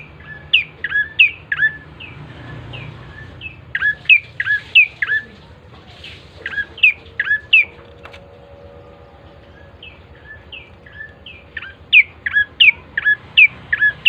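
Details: Bar-winged prinia singing vigorously, used as a lure so other birds start singing quickly: bursts of sharp, downslurred two-note chirps repeated in quick runs with short pauses, over a low steady hum.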